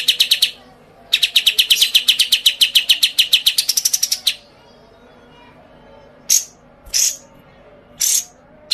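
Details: White-eye singing a quick burst of sharp chirps, then a longer rapid run of ringing high notes that climbs toward its end, followed by quiet gaps broken by a few separate thin, very high squeaky calls.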